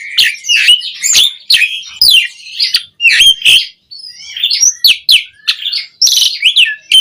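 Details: Energetic song of an Asian pied starling, played to excite caged birds so they sing sooner; rapid strings of clear whistles, downward-sweeping notes and scratchy chips follow one another almost without pause.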